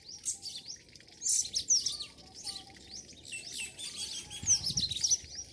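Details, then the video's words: In a Pakistani village at dawn, several birds chirp and twitter in high, fast rising notes, forming two lively bursts of chorus with softer, scattered calls in between. "morning sound of nature and birds"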